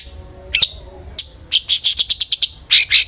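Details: Long-tailed shrike singing as a lure to prompt other shrikes to sing: a sharp call, a pause, then a fast series of dry chattering notes ending in a rasping burst.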